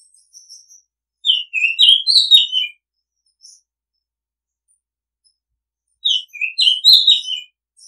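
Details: Song of an Oriental magpie-robin, used as a calling and decoy-bird sound: two rich whistled phrases about five seconds apart, each mixing rising and falling notes, with faint high twitters between.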